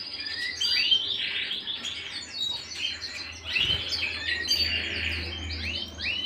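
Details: Home canary song of varied swooping warbles and chirps in irregular bursts, with a low hum in the background.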